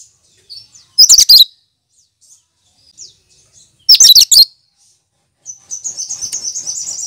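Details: Leafbird, a green songbird known for mimicking other birds, singing: two loud bursts of dense, high chattering notes about three seconds apart, faint scattered chirps between, then a thin, fast, even high trill to the end.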